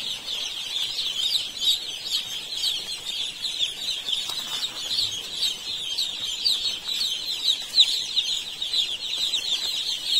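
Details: Baby chicks packed together in an Indian poultry farm, their constant shrill cheeping forming a steady high chorus of short, bright, overlapping notes.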